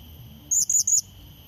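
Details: A brief blue-crowned hanging parrot triplet of shrill high notes, each flicking upward, used to call in a rival bird; faint steady drone behind.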